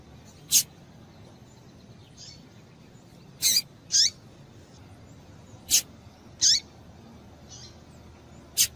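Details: Female double-collared seedeater giving calls meant to excite a male into singing: brief, thin, high chirps that slide downward, spaced irregularly, with sharp clicks and a faint softer note between them.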